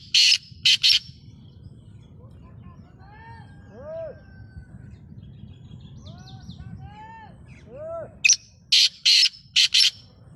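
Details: Black francolin calls: two harsh rasping phrases of several grating notes at either end, with softer whistled, arching calls from other birds in between.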